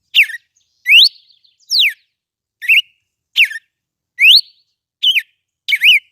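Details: Red-cowled cardinal singing a lot: a run of crisp whistles, rising and falling slurs mixed with short double-pulsed wavering notes, about one every three-quarters of a second, clean and unaccompanied.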